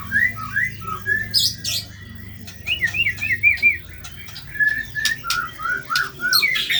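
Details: Vigorous white-rumped shama song of harsh material, a recording meant for tutoring other birds: short upward-slurred whistles, a burst of rapid warbled notes, scattered sharp clicks and a faint low hum.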